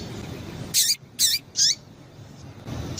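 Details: Calling female Double-collared seedeater, piping to stir a male into song: three bright, high chip notes in quick succession within a second, each with a falling tail, followed by quiet low rumble.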